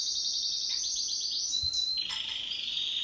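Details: Pet canary in duet song: a rapid high trill gliding into a short clear whistle, then a lower buzzy roll after a brief click.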